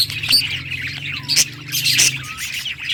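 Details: Budgerigar singing happily: a lively jumble of loud scratchy chirps, squawks and short whistled notes in quick succession, over a steady low hum.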